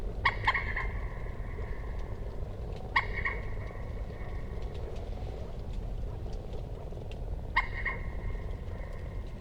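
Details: Common moorhen giving short, abrupt harsh calls with a sustained buzzy tail, three calls spaced a few seconds apart, over steady low rumbling background noise.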